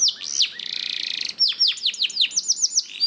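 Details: Canary song meant to coax caged canaries into singing: high looping whistled notes, a fast buzzy trill, then a run of downward-swooping whistles repeated about four times a second.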